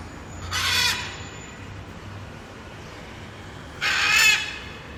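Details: Blue-and-yellow macaw (Ara ararauna) in the wild giving two loud, harsh, raspy screams about three seconds apart, each under half a second long, over a faint low hum.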